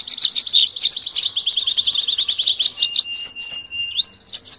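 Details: Competition-training master song of a canary, meant to prepare birds for a national contest: dense high rolling trills, then a few separate upward-sweeping whistles, then a fast trill again.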